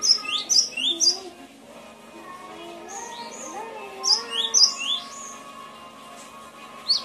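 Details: Song of a Cinereous tit (gelatik batu), used as a training recording for cage birds. A burst of rapid high two-note whistled phrases, a quiet pause with faint lower warbling, then another cluster of the same sharp paired notes.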